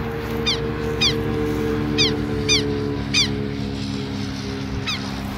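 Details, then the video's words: Southern lapwing pair defending their nest at the same spot: loud, harsh downward-slurred notes repeated about once a second, seven in all, over a constant low droning background. "Casal de kero kero cantando bastante."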